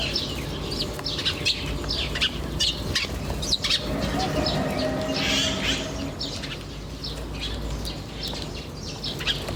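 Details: Wild birds chirping in nature: many short, sharp high notes overlap in quick, irregular bursts, about eighty a minute, over a steady low background rumble.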